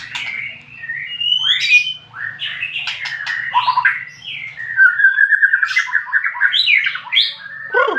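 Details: White-rumped shama song played to provoke other birds: fluid varied whistled phrases with squeaky sweeps, clicks and a long level warble, ending in a sharp descending note; faint low hum early on.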